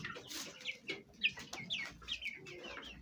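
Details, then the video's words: Young Fayumi chicks with hens at home: clear, high, whistled peeps gliding downward, nearly two per second, over faint low clucking and scratching sounds. "Chicken sound effect at home| hen voice | chicks"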